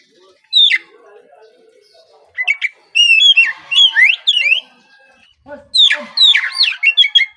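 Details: Oriental magpie-robin, kacer trotol type, in a morning lure song that prompts other birds to sing: a single sharp whistle, then clusters of upslurred and downslurred whistles and chirps in two lively bursts.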